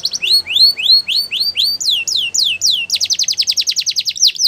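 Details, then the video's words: Belgian canary singing for training young canaries, rising swept whistles about three a second giving way to falling slurs and then a fast rolling trill. "Belgian Canary Singing For Training!!"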